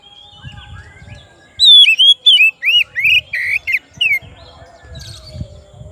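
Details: Singing to call its rival, an oriental magpie-robin delivers a loud series of about eight clear, arched whistled notes at a steady pace, preceded and followed by quieter soft warbles and low background rumble.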